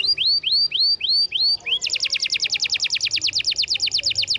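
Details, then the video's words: Canary song for tutoring silent canaries: five rising whistled notes evenly spaced, followed by a long fast rolling trill of clipped, bright notes. "MASTERAN KENARI GACOR !! Bahan isian kenari macet bunyi"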